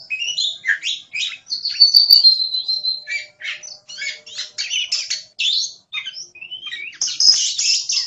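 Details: Kacer, the oriental magpie-robin, singing energetically in gacor style: a rapid run of varied chirps, a sustained high whistle around the second second, then choppy trills and bright notes continuing without a break.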